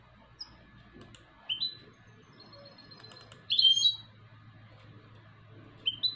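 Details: European goldfinch hybrid song fragments: brief, sharp, upswept chirps at irregular intervals, one louder cluster in the middle, over a low steady hum.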